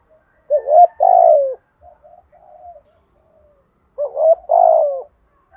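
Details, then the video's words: Spotted dove cooing in 'thúc gù' style: two phrases of quick rising notes, each leading into a long loud falling coo, with faint soft coos between them. Background is quiet. "Tiếng chim cu gáy thúc gù gáy gọi đủ bài bổi"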